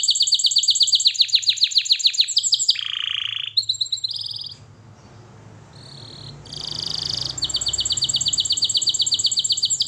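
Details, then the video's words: Canary song for training with fast pulsed trills, a lower rolling buzz, scattered whistles, a quieter middle section with a buzzy burst, then a long bright trill. "Canary Singing Birds Sounds at its best Melodies Canary Bird song Training"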